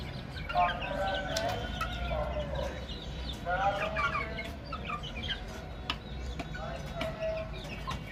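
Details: Baby chickens chirping in a crowd: clear, high, slurred peeps come in busy clusters, then spread out into scattered single notes, over a low continuous rumble.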